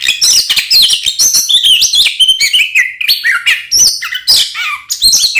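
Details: Oriental magpie-robin giving an energetic fighting song, played to stir other magpie-robins into aggression: quick succession of piercing whistles, upward slurs and harsh chips, tightly packed and loud throughout.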